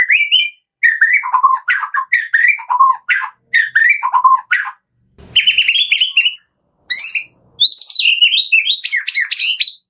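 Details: White-rumped shama from Medan singing a full varied song as a morning lure for captive birds: bursts of rapid chattering and slurred whistles separated by short pauses, ending in a high jumbled sequence.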